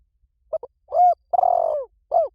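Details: Spotted dove, recorded as a fast-responding lure call: a short cooing phrase with a brief clipped note, a rounded coo, a long rough descending coo, and a final falling coo, with clear quiet gaps between them.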